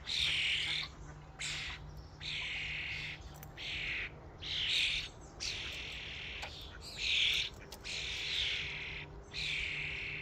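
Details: Massed calls from a starling flock at a feeding station: hoarse, rasping bursts about a second long repeat with short pauses, and a few sharp clicks cut through.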